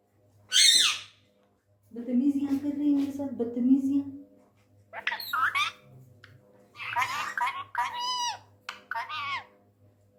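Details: Tame male Indian ringneck parrot, angry, talking in Urdu/Hindi indoors: a sharp squawk, then a low human-like voice for two seconds, followed by several shrill, warbling speech-like phrases.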